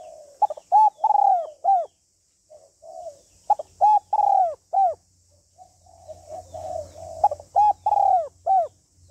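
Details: A female spotted dove calls to stimulate a male. Loud arched coos come in three bursts of about four notes each, separated by short pauses and soft low cooing.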